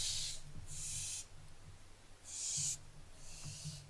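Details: Barn owlets on 15 July 2024 giving rough, noisy hisses. Four bursts of roughly half a second each arrive in two close pairs, over a faint low hum.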